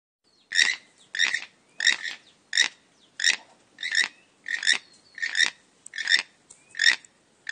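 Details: A toucan from Guatemala gives harsh, frog-like croaks, about one every two-thirds of a second, in a steady rhythm. No other sounds stand out.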